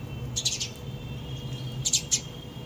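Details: Sparrows giving two short bursts of high, quick chirps, one near the start and another cluster toward the end, over a steady low hum.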